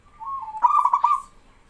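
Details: Male zebra dove of local stock singing to get other doves calling. A soft low coo leads into a loud, pulsing, rattling trill lasting about half a second.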